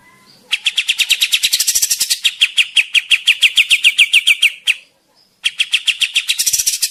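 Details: Grey-cheeked bulbul of the Javan form in full voice, delivering a long rapid series of rasping, evenly pulsed notes that run for about four seconds, break off briefly, then resume just as fast.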